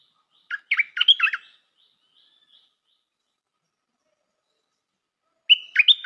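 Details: Stripe-throated bulbul, a new decoy bird, singing a short bubbly phrase of quick warbled notes, pauses about four seconds, then begins the phrase again; otherwise quiet.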